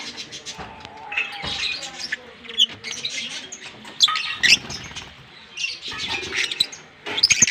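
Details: Pair of green Fischer's lovebirds singing and chirping in captivity: dense bursts of harsh, high twittering and sharp squeaks, separated by short quieter gaps.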